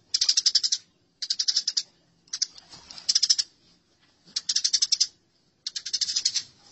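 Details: Masteran of fighting house sparrows: five clusters of quick, rasping chirps, each lasting about half a second, spaced roughly a second apart.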